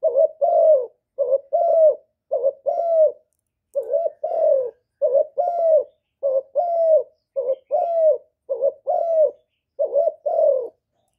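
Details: Spotted dove cooing continuously, a clean recording intended to excite kept doves into calling; around ten paired phrases, a short coo then a longer slightly falling coo, repeated steadily at about one per second.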